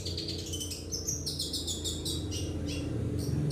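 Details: Long-tailed shrike in lively song used to lure and train other birds: dense, jumbled high chirps and slurred whistles tumbling together, with a strong low droning hum beneath.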